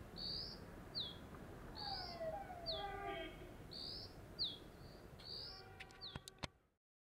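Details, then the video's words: Dark-grey bush chat calling loudly from a deodar twig at Jabbarkhet sanctuary, western Himalaya: a steady series of high, thin whistles, each pairing a rising note with a quick downslur, plus lower sliding sounds and clicks before ending abruptly. "Dark-grey Bush Chat is a cute little diminutive bird with a loud call"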